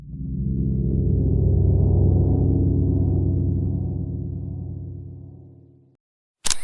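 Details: A deep, swelling gong-like musical drone fades out after about six seconds, followed by a short sharp burst of noise.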